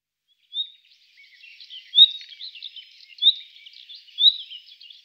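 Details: A common nightingale (Luscinia megarhynchos) sings loud, high whistled notes about every second or so, each followed by rapid scratchy chattering and twittering, in a quiet setting.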